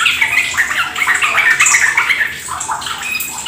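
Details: Trucuk lure recording to spur captive sooty-headed bulbuls into ropel song; a quick run of whistled and chattered notes, roughly three per second, tapering off toward the end.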